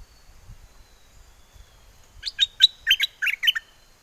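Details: Bulbul kept in a cage at Chana, Songkhla, in southern Thailand, singing a wild-type song to call a mate: after quiet, one brisk phrase of six or seven sharp, chirpy whistled notes in just over a second.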